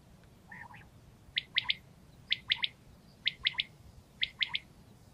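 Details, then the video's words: Male common quail calling to gather other quails; sharp, high triple notes, each group of three quick pwit-like notes repeated about once a second, four groups, after a softer lower double note. "Bıldırcın Sesi | Quail Call"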